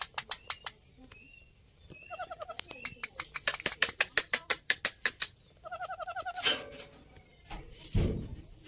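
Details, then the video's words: Baby ring-necked parrots, male and female, give rapid, harsh, raspy chirps, about three a second, with brief wavering trills between bursts and a dull thump near the end. "parrot baby sound"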